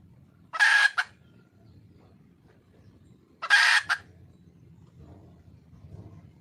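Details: A wild red junglefowl hen calls to attract a male. She gives two loud, harsh, raspy squawks about three seconds apart. Each is followed by a short clipped note. Quiet low rumble between calls.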